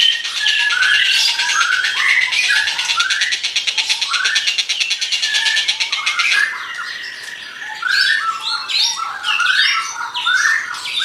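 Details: White-rumped shama singing energetically: a dense, loud song opening with about six seconds of fast buzzy pulsed notes over scattered whistles, then a quieter stretch of varied, sharp chirped and whistled phrases jumping between low and high notes.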